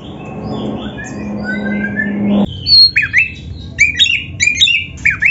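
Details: Oriental magpie-robin (kacer) training song for captive birds; after a noisy opening with faint distant whistles, a clear sequence of sharp, hooked whistled notes repeated in quick bursts.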